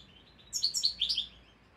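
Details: Juvenile goldfinch in its song-learning stage, tutored by a recording, gives a short jumble of about six high, tinkling, slurred notes, somewhat fainter over a soft background hiss.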